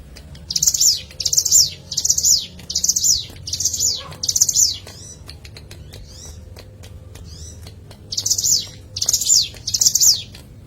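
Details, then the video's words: Hill prinia recording used as a lure: high, rapid chattering phrases, each a quick burst of notes ending in a downward sweep, repeated six times, then a pause with faint ticks and soft whistles, then three more phrases. "Pancingan CIBLEK GUNUNG Suara Asli Alam"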